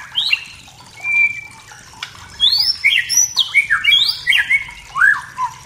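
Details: Wild white-rumped shama from the forest singing to provoke rivals: a long thin whistle, then a lively run of high downslurred whistles and lower slurred notes.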